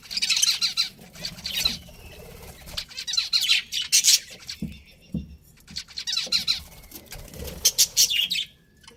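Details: Pet budgerigars, a breeding pair, chirping: bursts of sharp, buzzy high chirps and chattering trills in clusters, with short quiet gaps between busy passages around the first, third to fourth, and sixth to eighth seconds.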